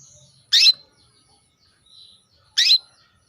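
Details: Female canary calling a male to bring him into breeding condition; two loud short chirps two seconds apart over a quiet background.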